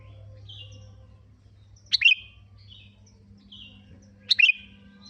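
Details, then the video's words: Kutilang (sooty-headed bulbul) lure sound for prompting song: two quick, gurgling, fluty phrases a little over two seconds apart, with faint thin notes and a steady low hum between them. "Pancingan burung kutilang√Bikin bunyi"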